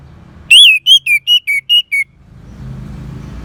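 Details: Orange-headed thrush (anis merah) song used as therapy playback for caged birds: seven loud, clear whistled notes in quick succession, each slurring slightly downward, followed by low rumbling background noise.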